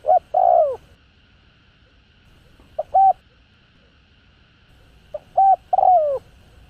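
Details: Spotted dove giving gáy gọi style coo phrases: three phrases of brief notes and a paired coo, two ending in a long falling coo, spaced about 2.5 seconds apart.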